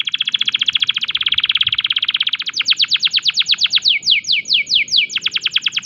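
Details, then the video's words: Breeding-condition canary singing constantly, its unique phrases aimed at provoking other canaries to answer: a long, rolling rapid trill, then a series of ringing up-and-down sweeps that gradually slow. "Semua burung kenari pasti langsung nyaut !! tembakan unik kenari gacor birahi"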